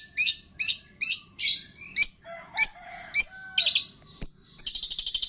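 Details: Long-tailed shrike singing a training song that carries imitations of cililin, greja tarung, lovebird, tengkek and kapas tembak. Loud, harsh, repeated chips are mixed with lower whistled notes, and the phrase ends in a quick chattering run.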